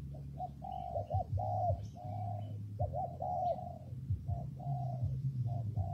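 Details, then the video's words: Spotted dove cooing in rainy, windy weather: mellow low coos in short doubled notes followed by longer drawn-out notes, repeated steadily, over a constant low hum with faint high chirps of other birds. "Thời tiết mưa gió ace vào nghe cu gáy gù cả ngày"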